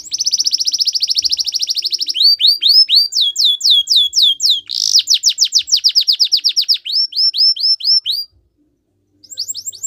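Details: Belgian canary delivering a long rapid high trill, then tours of curved whistles and rapid falling sweeps, a brief pause, and the song resuming with quick notes.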